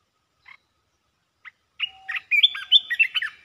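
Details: Caged red-whiskered bulbul singing rapid-fire song phrases: two faint short notes, then a quick burst of bright, warbling chirps at varied pitch crowding the final second and a half, with a quiet steady low whistle in the background.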